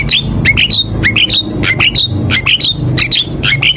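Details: Javan myna singing in chatty 'gacor' style for a master lure track, giving quick rising whistled notes in a fast, uneven series mixed with dry clicks over a low background hum.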